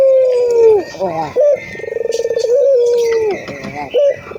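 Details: Ringed turtle dove, a local bird, giving loud cooing: long, low, slightly falling notes with a short rolling trill between them, repeated twice, with faint background chatter.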